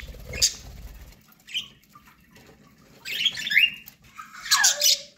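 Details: Pet budgerigars chirping while eating corn: a few bright, short chirps in quick clusters, with a gap of quiet between bursts and a low thump of feeding at the start.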